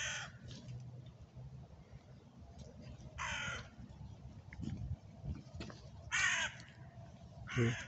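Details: A lone crow cawing in January, in winter, gives harsh, raspy caws in short bursts spaced a few seconds apart.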